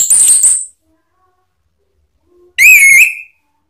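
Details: Male orange-headed thrush giving two clear, pure whistles: a very high, steady note, a pause, then a lower, slightly wavering note. No other sounds are heard.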